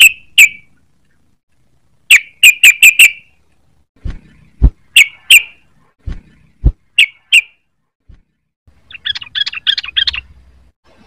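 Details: Young sooty-headed bulbul learning to sing: short bright whistled notes in bursts of one to five, a fast chirpy trill near the end, with a few low thumps between phrases.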